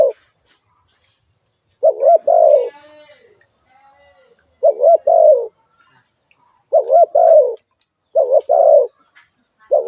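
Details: Spotted dove calling: four loud phrases, each two quick rising coos followed by a longer falling coo, spaced about two seconds apart, with a brief faint rattling sound after the first phrase and otherwise quiet background.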